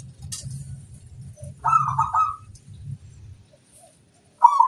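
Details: Zebra dove song for luring wild birds: one short trilled coo phrase and the start of another, preceded by low continuous cooing from another dove.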